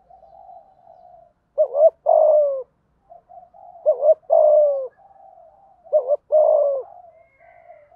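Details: Spotted dove, 'thúc gù' coo with 'thổ' voice, meant to spur birds to call quickly; three evenly spaced phrases of a short double hoot plus a drawn-out descending coo over faint low murmuring.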